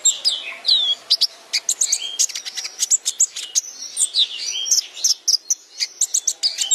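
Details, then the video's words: Energetic sunbird song recorded for training other birds: a dense jumble of high twitters, sharp clicks and swooping whistled slurs with almost no pauses. "Masteran Hadal Kolibri Ninja | Pancingan Konin"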